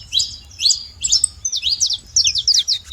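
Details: Wild saffron finch giving short clusters of bright, high, slurred chirps, roughly every half second, over a faint low hum.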